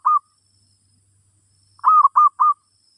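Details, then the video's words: Zebra dove in a teaching session for a new bird: one brief coo, a pause, then three rapid, loud, throaty coos in a tight cluster, in quiet surroundings. "Suara Burung Merbok...Sesi Mengajar Burung Baru"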